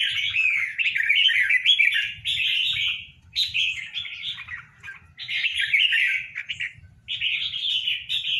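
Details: Red-whiskered bulbul, a tame caged pair: bursts of busy, chattering warbled phrases, each lasting one to three seconds, separated by short pauses, with faint low rumbling underneath.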